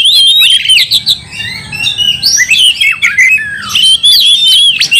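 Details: Gacor oriental magpie-robin provoking a rival to anger: loud jumbled whistles with downward-sliding notes and rasping squawks, delivered in quick overlapping phrases.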